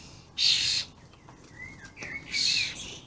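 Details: Juvenile and adult common starlings recorded on 28/05/16; two broad rasping screeches separated by a thin rising-and-falling whistle and a short buzzy note.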